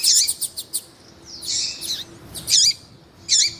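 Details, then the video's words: Double-collared seedeater calls, a female calling to stimulate males. Four rapid high chips open, then a drawn-out buzzy note and loud sharp down-slurred calls spaced about a second apart. "ESQUENTAR COLEIRO TUÍ TUÍ COM COLEIRO TUÍ-TUÍ E FÊMEA CHAMANDO PARA ESQUENTAR COLEIRO TUÍ-TUÍ"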